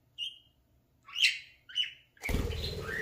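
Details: Playing at a mirror, a talking pet parakeet gives three short thin chirps before a loud rustling, broadband burst covers the rest.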